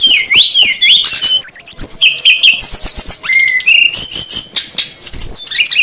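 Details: Lure for wild birds featuring a noisy female and male brown-chested jungle flycatcher: wavering whistles, buzzy trills and clipped high chirps tumbling over one another without pause.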